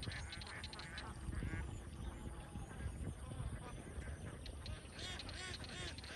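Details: Huge flock of young farm ducks in Vietnam; a continuous mass of overlapping nasal quacks with low background rumble and a high steady hiss.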